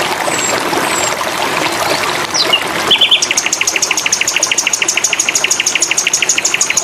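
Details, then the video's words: Flycatcher song used for training songbirds: after a few scattered high whistles, a long rapid series of sharp repeated notes, about four per second, runs to the end over a constant watery hiss. "sikatan londo"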